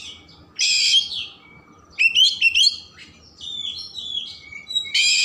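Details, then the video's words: Lively Oriental magpie-robin song with rich filler, aimed at stirring emotion and tail opening: a harsh rasping burst, a twisting whistled chatter, soft drawn-out whistles, and a final loud rasp. "Kacer Gacor Isian Mewah Merangsang/Perangsang Emosi Buka Ekor"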